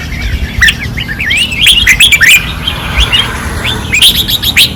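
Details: Caged red-whiskered bulbuls at a training perch in Pattani, 2024, singing fiercely: bright whistled phrases that rise and fall, overlapping in quick bursts over a low background hum.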